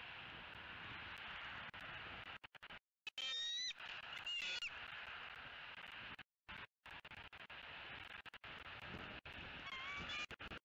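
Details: Wild female bald eagle at her nest in Southwest Florida, squeeing with excitement as her mate arrives with food, 3 November 2018: two thin, high, whistled squeals close together, a fainter one later, over steady wind noise and crackle.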